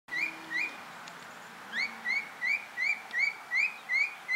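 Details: Grey cockatiel outdoors calling a steady run of clear, rising whistled notes with bright overtones, about two per second, each sliding sharply upward; soft background hiss throughout.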